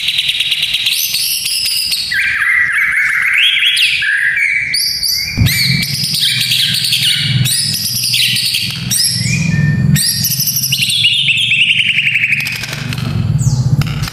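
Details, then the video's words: White-rumped shama singing, played to build the fighting spirit of young males: long, dense passages of trilled and rattling whistles, with sharp clicks between phrases and low rumbling noise beneath. "Murai Batu Fighter - Suara Ini Melatih Mental Fighter Murai Muda"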